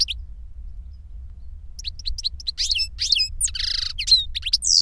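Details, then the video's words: Song of an older goldfinch tutoring a younger bird. Near silence at first, then it builds into rapid high chirps, a buzzy grating burst and descending slurred twitters. "Older GOLDFINCH SINGING to Teach Younger Goldfinch"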